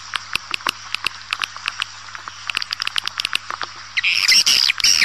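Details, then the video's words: Swiftlet lure call meant to draw swiftlets in: rapid irregular dry clicks, about four a second, over a low hum, ending in a loud burst of dense high chattering chirps. "Suara Burung Walet"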